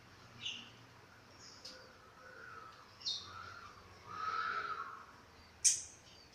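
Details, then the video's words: Chestnut-capped thrush that has just finished moulting, giving scattered short phrases: a few sharp high notes and softer warbled trills, separated by quiet gaps. "Burung Anis Kembang selesai mabung"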